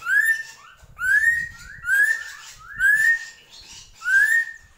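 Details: Drongo giving a steady series of clear, rising whistled notes, five in all, about one per second, each with a harsh overtone and short softer notes between.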